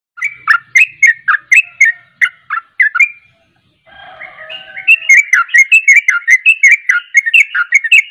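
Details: Sooty-headed bulbul, a trained contest songbird, singing in the fast, persistent ropel style. Loud, quick chirping notes repeat several times a second. After a brief pause, a denser run of sharp, bubbly whistles follows.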